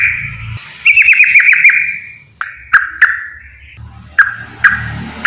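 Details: Ropel-style song of a straw-headed bulbul, played to lure lazy bulbuls into singing: a run of quick accented warbled notes descending into a fading phrase, followed by scattered sharp bright calls.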